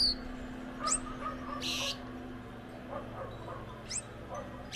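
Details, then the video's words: Gouldian finch pair singing: thin high upward-sweeping notes and a short hissing buzz near the middle, over faint lower chirps and a steady low hum. "Gouldian singing"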